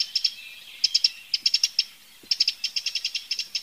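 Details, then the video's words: Eurasian wren, a free bird, repeating hard dry tick notes in uneven clusters of two to five, a scolding series over a quiet background. "chants et cris du troglodyte mignon- HD/ calls and songs european wren"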